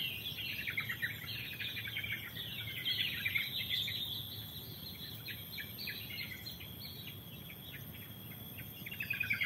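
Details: Wild forest birds singing at Pos Yellow, the Lemah Duwur hiking post on Lorokan, Pacet: dense overlapping high chirps and short twittering phrases over a steady insect hiss and low background rumble.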